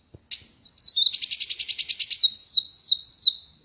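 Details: Ruby-cheeked sunbird on a hand without a cage, opening with a rising whistle and a rapid rattling trill, then four clear high whistles that slide down in pitch.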